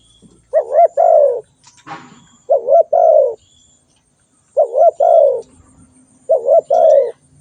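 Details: Spotted dove calling: four phrases of quick wavering coos ending in a longer falling coo, roughly every two seconds, with a short rustling noise between the first two.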